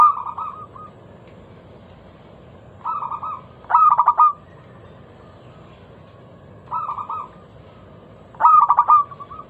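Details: Lure song of a local zebra dove for drawing other doves into song: softer sustained coos alternating with loud clipped phrases of four to five rapid notes, repeated roughly every five seconds over quiet background hiss.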